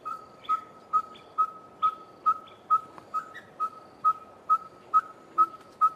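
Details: A red-fronted tinkerbird repeats its monotonous call, typical of hot midsummer days: clear single-pitched whistled notes at a steady pace of just over two per second, with brief higher bird chirps behind.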